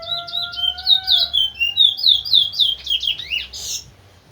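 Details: Large-billed seed finch (towa towa), a teacher bird used to train other birds to sing, delivering a fast run of short slurred chirpy notes, about four per second, ending in a harsher burst; a steady low whistle-like tone runs underneath at first.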